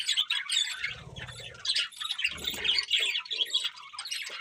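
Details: Several budgerigars chatter and warble as they feed. The high, rasping twitters are a little quieter here, broken by two dull, low rumbling bumps from eating.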